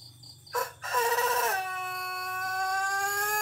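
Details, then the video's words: Cianjur-bred Pelung chicken crowing at length: a short burst, then a loud wavering opening that slides down into a sustained, even, drawn-out note carried steadily for about two seconds without a break. "Suara Ayam Pelung Kokok Panjang"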